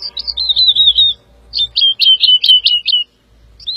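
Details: Woodlark song with a wavering, gently falling warbled phrase, then a clipped series of sharp repeated notes; low rumbling background noise.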